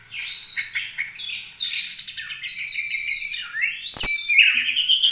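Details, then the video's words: Oriental magpie-robin in vigorous full-roll 'tembak' singing, meant as a model for training other birds. Dense chattering phrases blend into long descending and rising whistles, delivered at a fast pace. "Kacer gacor ful roll tembak cocok buat masteran"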